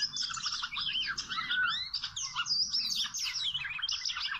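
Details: Wild Oriental magpie-robin song near a rope trap: rapid, overlapping high chirps and short slurred whistles run without pause, with a few clearer down-swept whistles in the middle.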